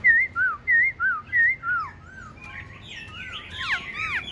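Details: Caged, tame Black-throated laughingthrush singing on a cold day: four loud, even, wavering whistles in quick succession, then a jumble of quieter rising and falling whistled notes.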